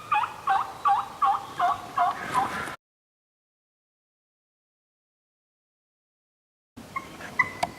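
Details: Wild Turkey calling during a New York youth hunt in spring, seven evenly spaced loud notes repeated roughly every third of a second, then silence before a few faint sounds return.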